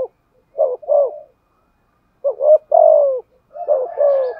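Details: Decoy spotted dove of the 'giọng thổ' voice type, cooing 'thúc gù'. Three phrases after a short pause: clipped double notes leading into a long, even, slightly falling coo.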